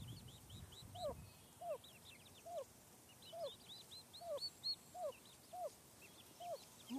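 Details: Wild turkey family on a residential street as the mother's all-clear comes after a sky threat: short downslurred notes repeated about every second, accompanied by thin, high chirps from the chicks.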